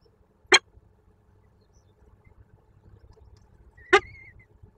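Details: Peregrine falcon at its nest on the Kruszwica sugar factory in Poland, during the day's third feeding of its only chick. Two loud, harsh, rasping call notes about three and a half seconds apart, with a faint thin whistle after the second.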